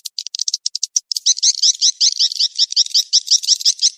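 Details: Revised swiftlet mating-chase calling sound. Quick, sparse ticks at first, then a denser run of buzzy, rattling high chirps, several each second.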